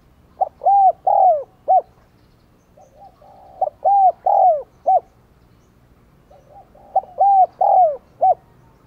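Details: Caged decoy spotted dove cooing to lure wild doves, repeating the same mellow phrase three times about every three seconds, each a soft lead-in, short hoots and a long falling coo, with a short final note.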